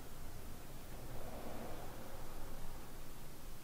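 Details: Only a soft, even hiss of room noise, with no animal voice.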